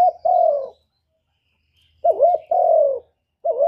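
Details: Spotted dove giving 'kuk 1' song as a lure for other doves: a bouncing, wavering coo followed by a long, steady, slightly falling coo, repeated about every two seconds, with a low hum beneath.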